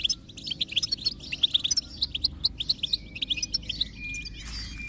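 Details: High, liquid goldfinch song used as singing stimulation for a silent goldfinch: a steady series of bright chirped notes, about four to five each second, easing into a softer buzzy ending.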